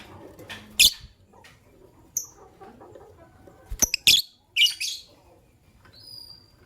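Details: Fischer's lovebirds, a white albino and a pastel green, chirping in the morning: scattered sharp, raspy squeaks and clicks in short bursts, several clustered near the middle, with thin whistles and quiet gaps between.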